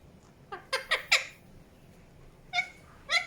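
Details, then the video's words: Indian ringneck parakeet producing brief harsh chirps in a quick cluster of four, then a pause and two more scratchy, nasal notes. "PARROT CHIRPING SOUNDS | NATURAL SOUNDS PARROT CHIRPING"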